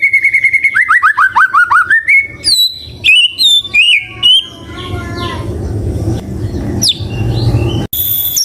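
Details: White-rumped shama song opening with a fast descending series of whistled notes, then high separate chirps, fading into noisy background with a hum.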